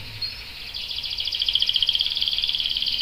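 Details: Canary singing in ngerol rolling style, with a young male answering: after a quiet start, a fast pulsing rolling trill builds and continues steadily over a faint background hiss.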